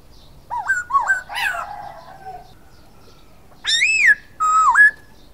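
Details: Silver-eared laughingthrush song: wavering dipping whistles and a brief rough burst, then a loud arched whistle falling away and a level whistle with a sharp dip. A soft low hum runs underneath.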